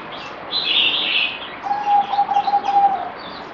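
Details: Caged zebra dove on day four of a deworming course, 17 April 2020, gives a pulsing low coo after a burst of high chirping from other birds nearby.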